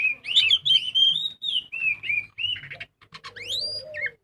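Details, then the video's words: Kacer, the magpie-robin, pouring out loud continuous song as a lure to get birds singing: rich slurred whistles flowing one into the next, ending in a rising upslurred note. "Pancingan burung kacer gacor full ngobra"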